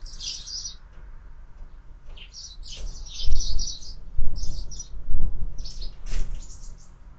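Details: Sparrows feeding at a feeder fixed to a window; dense bursts of high chattering chirps from several birds, with bumps and thuds from the feeder.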